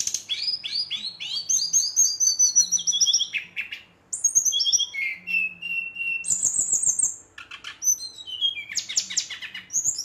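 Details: Singing energetically after nightfall to goad rivals, a brown-chested jungle flycatcher gives long chains of high whistled notes that drift downward, sharp chips, and quick buzzy bursts, almost without pause.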